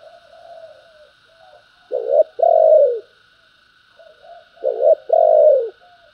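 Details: Spotted dove giving 'thúc' and 'gáy gọi' coos: two clear phrases of a short stuttered double note and a drawn-out, falling, mellow coo, with softer coos between and a steady faint tone behind.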